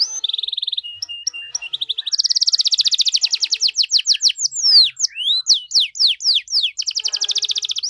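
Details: Canary delivering gacor cengkok mewah song intended to trigger responses from other canaries: clipped high notes, then a dense rattling trill, looping swept whistles and another fast trill, all high-pitched.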